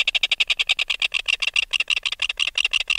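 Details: Adult red-billed tropicbird removed from its nest, recorded close up, giving alarm calls: a steady, rapid series of harsh, raspy pulses, about seven each second, kept up without pause.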